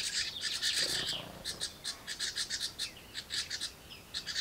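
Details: Hatchling house wrens begging inside their birdbox at a parent's feeding visit: sharp, high, scratchy chirps repeated several times a second in uneven runs.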